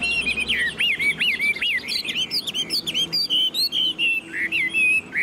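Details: Loud, clear song from a tame caged Chinese hwamei with fanned tail: strong rising-and-falling whistled slurs repeated about twice a second, breaking into quick varied high notes and trills, in a long, high delivery.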